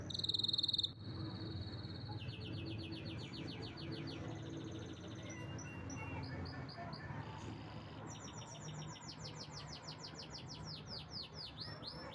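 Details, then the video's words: Canary singing a long sequence of rolling trills at changing pitches, each held about two seconds, ending in fast repeated rising sweeps; constant low hum in the background. "Canary's most powerful song"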